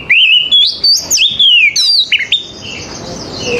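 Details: Oriental magpie-robin in morning song meant to coax other magpie-robins into answering: a rapid string of loud, pure whistles that climb, drop and waver, with quick twisting notes, fading into a softer tail with background hiss.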